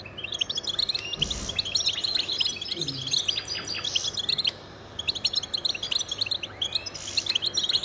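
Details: Territorial and courtship song of a male goldfinch: fast, bright twittered phrases of clipped high notes and short trills, pausing briefly around the middle before resuming; a faint low thump is heard early on.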